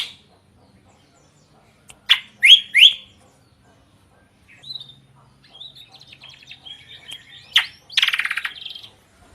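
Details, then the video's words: Drongo singing energetically with a loud, varied voice: sharp rising chirps around two seconds in, then a quieter stretch of scratchy twitters and a harsh, buzzy burst near the end. "Kicauan Unik Srigunting Gacor Suara Kencang Bervariasi"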